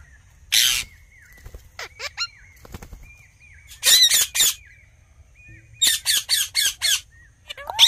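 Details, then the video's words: Talking Indian ringneck parakeet gives scattered harsh screeches and clusters of rapid rasping squawks, linked by faint, steady, high whistled tones and small downward-curving chirps, with quiet pauses between. "Talking Parrot Natural Sounds"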